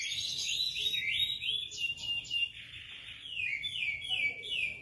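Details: Continuous high warbling whistles from a white-rumped shama responding to another bird, notes sliding up and down without a break, with a low background rumble.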